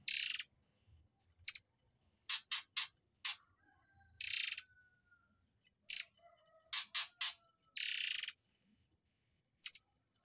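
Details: Sharp, fiery tembakan bursts from a murai air for training white-rumped shamas, mixing long harsh buzzes with quick clipped chips in irregular runs across ten seconds, and a faint whistle in between.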